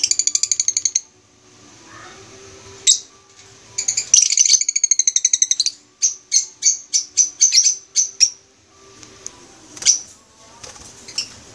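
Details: Masked lovebirds, green wild form, in an aviary in the Philippines: rapid trains of shrill, high chirps, then a string of about a dozen separate sharp squeaky notes, with a final shriek.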